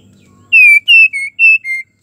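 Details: A female white-rumped shama in breeding condition calls to a male with five clean whistled notes in quick succession, each steady or gently falling in pitch, over near silence.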